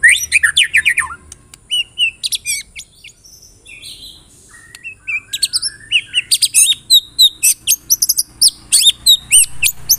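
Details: Shama (murai batu) lure song used to draw out singing: opens with quick descending whistles, pauses with sparse soft notes, then builds into dense, high, rhythmic chips and bright ringing phrases.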